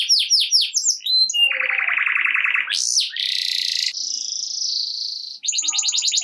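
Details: Lively canary in ngerek-style song, played to stir lazy canaries: quick descending chirps, a low pulsed trill, a sharp upward sweep, then a long steady high whistle and a fast shimmering trill.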